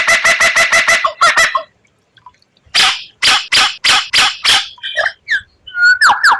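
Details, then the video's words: White-rumped shama in rare 'tembakan' song: a quick run of repeated rasping notes, a pause, a slower series of loud harsh bursts, then high slurred whistles. "Masteran Murai Batu tembakan Langka, suara aneh memikat para juri"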